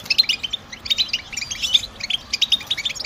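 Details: Short burst of European goldfinch batbata song, used as stimulating song for a caged goldfinch: crisp, bright chirps and tinkles in rapid clusters, pausing briefly around two seconds.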